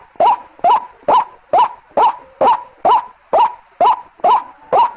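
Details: Repeated White-breasted waterhen call played as a lure: short, harsh, upward-sliding notes at a fast, even beat of about two per second, ten notes in all, with nothing else audible.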